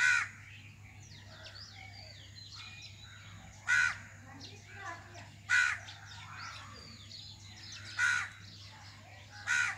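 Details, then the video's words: Common myna (Acridotheres tristis) in India giving harsh, raspy croaks about every two seconds, with chattering and whistled notes from other birds around it and a low steady hum. "Common Myna Bird Sound | Shalik Pakhi"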